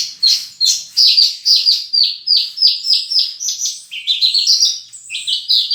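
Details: Horsfield's bush lark in a long, varied song: rapid high notes that step down in pitch, then shift to rising and mixed phrases, sung continuously at a lively pace.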